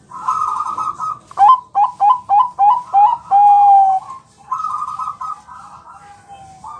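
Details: Bangkok-type zebra dove, a champion singer, on a training recording to prompt replies. Several crisp, rapid coos build to a long level final note. Softer, rough, warbling bird calls run before and after.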